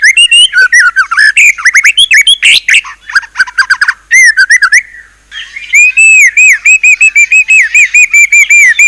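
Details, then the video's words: Varied white-rumped shama song of fast mixed whistles and harsh notes, a brief pause, then a steady series of clear arched whistled phrases repeated in quick succession. "ISIAN MEWAH MURAI BATU_PALING TOP SUARA SANGAR"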